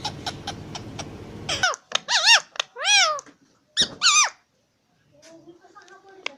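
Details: Talking ringneck parrot, an Indian green parrot, giving a series of harmonic, arching, squawky syllables after a short stretch of rumbling noise, then falling quiet apart from faint thin sounds.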